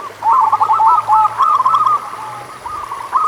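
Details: Local zebra dove singing, meant to stimulate doves that sing little. A dense, quick string of bouncy cooing notes fills most of the moment before it trails off. A faint low hum sounds underneath.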